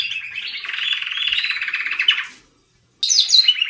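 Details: Canary singing: a long, dense run of rapid trilled notes that drops slightly in pitch, breaks off for half a second of silence, then resumes with bright, higher warbled phrases.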